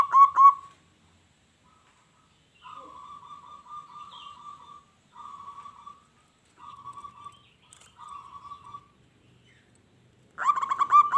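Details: Local zebra dove in lively, persistent song, played to provoke wild doves into answering: short bursts of soft, rolling cooing notes separated by silences, with louder bursts at start and end.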